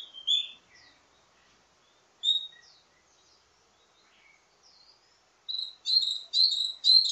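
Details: A caged mountain tailorbird sings a varied song: high, thin whistled notes sweep up and down in varied phrases, then a run of loud, rapid buzzy notes repeated about twice a second.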